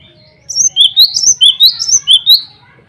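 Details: Male cinereous tit singing vigorously to challenge rivals and call females, used as a lure; a rapid string of about seven high, sweet, rising two-part whistles in steady rhythm, clean and loud against quiet background.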